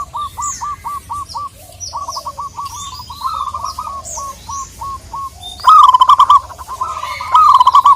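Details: Local zebra dove calling a rival, uttering strings of short stuttered coos and loud rolling coo phrases, while other small birds chirp high in the background.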